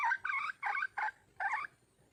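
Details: Red junglefowl hen, wild, calling for a male, gives five short, rasping, nasal notes in a quick uneven cluster, the last after a short gap, then silence.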